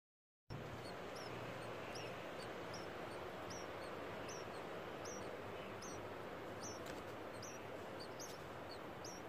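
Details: Four-day-old light-vented (Chinese) bulbul nestlings: thin, very high peeps in quick uneven runs, about three a second, over a steady low hiss.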